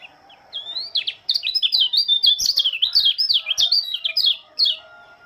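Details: Morning song of a Lombok Oriental white-eye, greeting the dawn dew: a rapid, continuous run of high, sweet, warbling chirps and twittering slurred notes lasting about four seconds, then one short final phrase.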